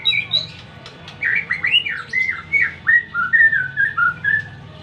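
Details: White-rumped shama song of clear whistled notes, some rising and others falling, delivered in a steady series of about ten phrases against a quiet, low hum.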